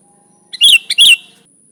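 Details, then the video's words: Sooty-headed bulbul singing, recorded as a lure for bulbuls: a single quick phrase of three loud, liquid chirps, the last slurring downward, over a thin constant high-pitched hum. "Suara Burung Kutilang Gacor ASLI Tanpa isian, Ampuh untuk Pikat bikin kutilang Ribut gacor"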